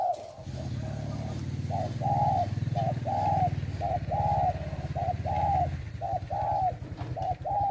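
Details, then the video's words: Male spotted doves kept as trapping decoys, giving steady rounded coos repeated about once a second, each swelling then dropping slightly, partly masked by a loud low rumble throughout. "ชม 💓นกเขาใหญ่💓นกต่อเด็ดๆหลากหลายให้ชมกันครับ"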